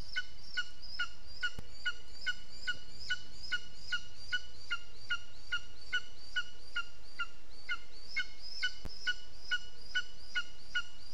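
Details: Long series of high, sharp yelps from a lesser spotted eagle at the nest on 15 June 2021, 15:09, around twenty-five evenly spaced notes, with two brief clicks and a faint hiss.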